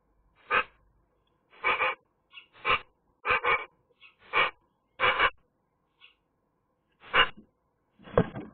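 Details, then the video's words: On a sunny day, a Eurasian magpie utters a series of clipped, hoarse chack notes, some doubled, spaced irregularly about every half second to a second, ending on a lower, rougher note. "magpie nice singing"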